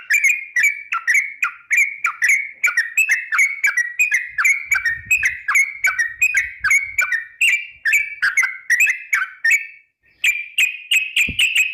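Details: Long 'ropel' lure song from a female Sooty-headed bulbul (trucuk), used to make birds sing: a near-continuous stream of clear, slurred whistles repeated quickly for over ten seconds, a faint low rumble partway through.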